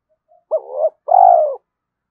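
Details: Early-morning fight-provoking lure call of a spotted dove: after a faint murmur, one two-part phrase, a sharp upturned note swelling into a husky middle, then a long smooth coo that slowly drops in pitch.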